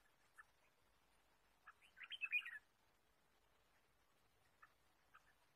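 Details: Red-whiskered bulbul in forest during bird trapping, 23 March 2017: a single hurried cluster of chirpy whistled notes in mid-recording, with scattered faint single chirps before and after.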